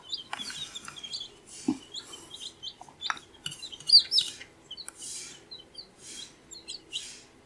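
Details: Fourteen-day-old baby chicks chirp steadily: piercing, thin peeps rise and fall sharply, some doubled. They come in quick runs with short gaps. A few dull knocks and light rustling sound beneath.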